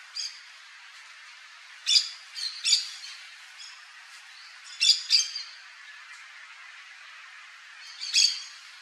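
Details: Yellow-chevroned parakeet (Brotogeris chiriri) calling in a series of sharp, shrill, high-pitched squawks, often in quick pairs, spaced irregularly across several seconds above a steady hissing background.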